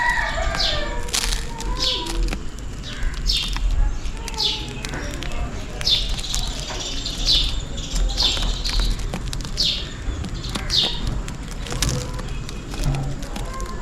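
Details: Several sparrows calling for food in the rain, giving a busy run of sharp, high, falling chirps one after another, nearly continuous, with a constant low background hum beneath.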